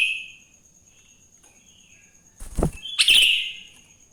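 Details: Sooty-headed bulbul singing in the morning in the wild, used to prompt other bulbuls to sing: a fading phrase at the start, quiet background, a dull thud, then one loud, harsh, bubbly phrase.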